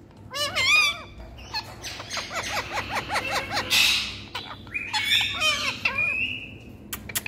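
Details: Ringneck parakeet talking: a run of harmonic, speech-like phrases with rapid rhythmic syllables, interspersed with sharp high squawks and a sustained whistled note near the end, all fairly close and clear.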